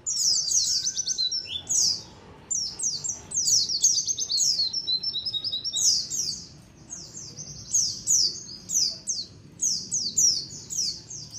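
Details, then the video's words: A colony of white-eyes chatters in thin, very high twittering notes, quick downslurred chips overlapping in bursts every second or so over a faint low rumble; used as a lure call for white-eyes. "SUARA KOLONI PLECI"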